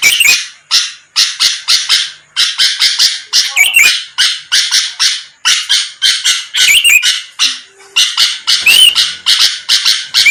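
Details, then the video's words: Sooty-headed bulbul singing boldly to provoke rival birds; a long, nearly continuous chain of rough, noisy notes mixed with occasional short upward whistles. "pancingan Suara burung kutilang gacor⁉️lawan langsung merespon cepat"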